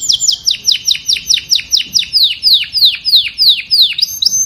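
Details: Canary calling the flock with a steady series of loud high notes, each a quick downward slur, repeated about three times per second for over four seconds.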